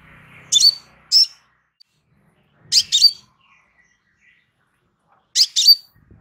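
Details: Calm crimson sunbird master recording for tutoring kept birds: sparse high, sharp double chirps, pairs of notes separated by gaps of about two seconds, with faint low handling sounds at the start.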